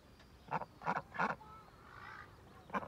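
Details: Domestic duck quacking in a short series of three harsh, evenly spaced notes, then a pause and a fourth quack near the end; a faint whistled tone sounds in between.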